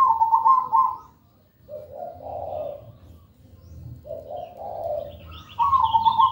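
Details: Zebra dove with sweet-toned song: a trilled rolling coo opens, two quieter low hollow coos follow, then the trill returns, alongside chattering high chirps from other birds near the end.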